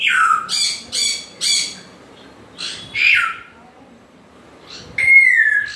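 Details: Grey parrot uttering harsh repeated squawks, three quick bursts then slurred, falling whistled squawks after a short pause.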